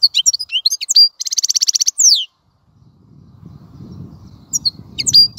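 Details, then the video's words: Goldfinch song in a quick liquid twitter, a dense buzzy trill and a falling slur, then quiet with a low rumbling background and a few more high chirps near the end. "تغريد طائر الحسون | فيديو رائع لتغريد الحسون"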